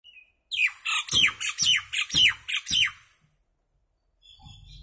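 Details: Common myna singing: a run of about eight loud, harsh, chattering notes with descending whistled slurs packed into two and a half seconds, then near silence with faint low rumble at the end.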